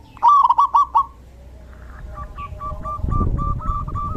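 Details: Zebra dove during the rainy season: a loud stuttering trill of five pulses, then a pause and a quiet run of short repeated notes over low background rumble.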